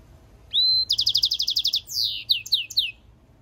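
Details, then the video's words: European goldfinch mule sings a rising clear whistle, a quick run of about twelve stuttered bright notes, then a string of downward-sweeping slurs. "European Goldfinch mule singing - Jilguero Mixto"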